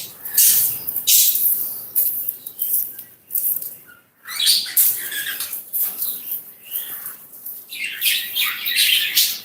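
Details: Pet budgerigars kept in a cage in Rangamati, Bangladesh, chirping after their cage is cleaned and they get fresh water and food; dense, scratchy high chirps and chatter come in irregular bursts with brief pauses.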